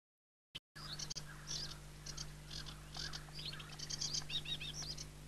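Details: Aquatic warbler singing: after a brief silence, a run of short buzzy chattering notes and rattles, with scattered higher squeaky elements toward the end, over a steady low hum.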